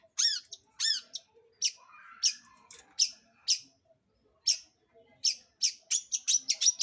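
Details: Long-tailed shrike singing as a lure for other birds: two ringing, chirpy notes open, then spaced harsh rasps, and finally a quickening string of scratchy notes.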